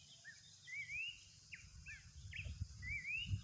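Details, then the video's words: Horsfield's babbler in the wild giving a few rising whistled phrases and short downward notes, with low rumbling noise. "planduk semak gacor di alam"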